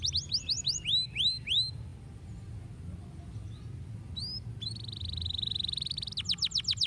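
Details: Canary singing to stimulate other birds: a quick run of high looping whistles, a pause with low hum, then a sustained buzzy high trill and a fast series of sharp notes.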